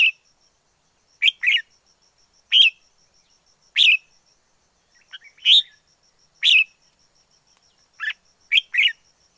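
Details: Song of a wild red-whiskered bulbul: crisp chirped notes roughly every second, singly or in pairs, with a steady thin whine behind.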